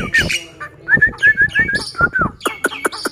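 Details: Black-winged myna that keeps singing richly even when held in the hand. Its loud, varied song mixes clear whistled slurs with harsh squawks and thin high notes, delivered in quick bursts about every quarter second.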